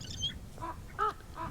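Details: Common ravens high in the sky over Las Cañadas del Teide, Tenerife, Canary Islands, give three short, hoarse, nasal croaks about every half second, with a brief high whistle from another small bird just before.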